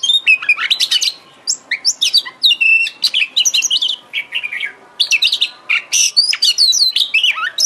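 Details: Oriental magpie-robin (kacer) song played to stimulate singing and tail fanning: long, energetic medley of clear whistles, downslurred notes and rapid chirps repeated in dense phrases.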